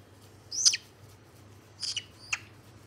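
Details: White-bellied caique producing brief piercing squawks: one loud harsh note followed by two shorter, thinner shrieks, with a low background hum.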